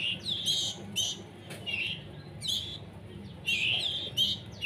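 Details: Young hand-fed canaries, still learning to feed themselves, beg with harsh, high chirps in clusters of two or three, broken by brief pauses; a soft low rumble runs beneath.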